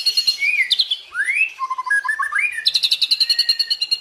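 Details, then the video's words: White-rumped shama tembakan and isian song. Quick trilled notes, a rising slurred whistle and a stepped series of short notes, then a steady fast trill to the finish. "Dahsyaaatt Tembakan & Isian Murai Batu // AmAzing Bird chirping like no tommorow"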